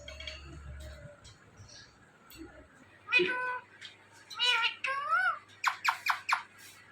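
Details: Indian ringneck parrot talking indoors: a mix of speech-like harmonic syllables, one wavering meow-like tone rising and falling, then a burst of sharp clicking notes. A low hum runs underneath.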